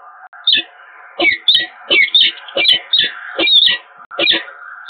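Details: Peregrine falcons at the Eindhoven Evoluon nest site, 7 March 2022, pair greeting each other: rapid, harsh, wailing chitter calls in bursts several times a second, with a steady low hum behind.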